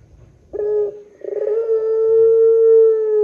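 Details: A single phrase from a Barbary dove of the pelung long-call type, used to provoke other doves: a brief coo, a short pause, then a stuttering onset swelling into one long, even, sustained note.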